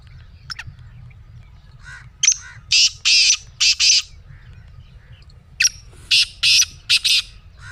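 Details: Caged black francolin, a call meant to set other pet francolins calling: two phrases of four or five harsh grating bursts, the second phrase after a pause, with scattered sharp clicks in between.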